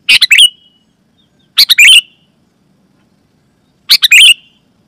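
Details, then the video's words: Sooty-headed bulbul calling, used to attract wild bulbuls and make caged ones respond: three rapid stuttering bursts of three to four harsh notes, each trailing into a thin whistle, spaced well apart. "Suara Burung KUTILANG GACOR"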